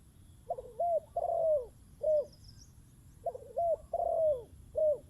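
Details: Spotted dove with a decoy bird, repeating a mellow cooing phrase twice: a short wavering note, a rising coo, a long falling coo, then a brief final note. The background is quiet.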